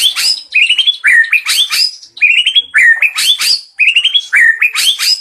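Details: Murai batu (white-rumped shama) pouring out its song fills, one rich whistled motif of rising and falling notes with sharp high accents repeated about every one and a half seconds.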